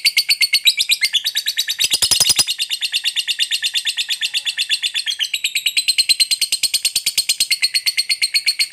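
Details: Long ngekek chatter of a fighter lovebird, used to provoke other lovebirds into responding: a continuous, rapid, harsh trilling rattle of about three notes per second, sustained through the whole stretch with brief changes in tone.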